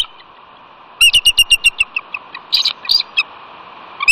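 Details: Bald eagle calling at the West End Catalina nest, California, 21 February 2018. The male, startled while incubating, mantles over the eggs. A quick descending series of high piping notes follows, then two harsher squealing notes.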